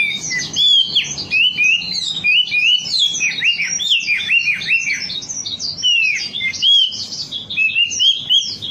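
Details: Wambi voice used as a lure to make birds sing: continuous lively warbling of high, bouncing chirps and arched whistled notes with almost no breaks.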